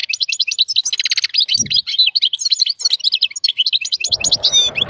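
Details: Strong, excited song of a wild European goldfinch mating with a white female canary: dense, fast, tinkling twitters and repeated high chirps running continuously, with a brief low thump midway and soft rustling near the end.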